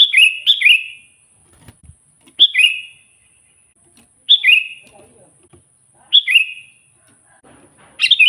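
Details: Sooty-headed bulbul singing to provoke wild rival bulbuls: brief, slurred two-note phrases repeated every couple of seconds, with soft scraping and rustling noises between them.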